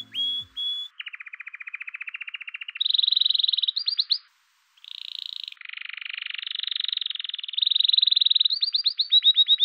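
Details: Male canary (Serinus canaria) singing its spring courtship song: rolling tours of rapid clear whistled trills, each phrase repeated for a second or two before jumping to a higher or lower pitch.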